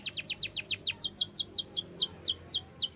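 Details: Canary kept as a song bird in Indonesia giving a fast run of steeply falling whistled notes, about five a second, clear and loud with little background noise.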